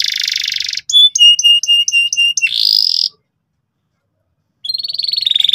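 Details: Loud canary song for training young canaries to trill: a buzzy rolling trill, then evenly spaced paired piping notes, a short rising slur, a pause of silence, and a renewed rapid trill.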